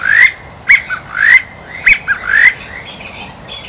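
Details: White-breasted waterhen giving a fast, loud, rhythmic series of harsh calls: rising nasal squawks alternating with short sharp notes, the pattern repeating roughly every second before fading out near the end.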